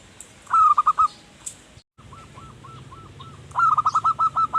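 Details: Zebra dove singing, used to lure wild birds: a rapid rolling series of high coo notes, then a pause, softer spaced coos, and another loud bubbling run at the end.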